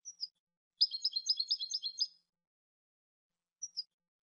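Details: European goldfinch song from a training CD: a fast burst of twittering, tinkling notes for about a second and a half, with brief thin high call notes before and after; clean, quiet background.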